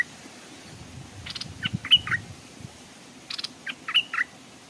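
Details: Stripe-throated bulbul, a decoy bird hung beside a stream; wild birds come close but do not dare land. Two short bursts of bright, chirpy notes, each a quick phrase of three or four rising and falling syllables, about two seconds apart.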